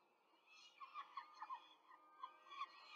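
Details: Nest camera in Rome, 5 May 2023, female peregrine falcon feeding four chicks; quiet start followed by a string of short squeaky chirps, then two more spaced calls.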